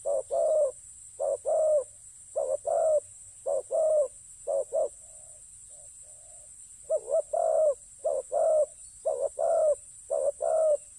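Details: Spotted dove at a ground decoy site coos in rapid paired phrases, short then longer mellow notes. A brief pause holds a few faint softer coos before the steady series resumes.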